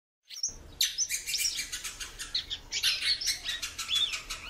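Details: Female ultramarine grosbeak calling a lot, kept by a bird keeper; rapid repeated sharp chirps and upslurred notes, several per second, with fluttering and cage noise beneath.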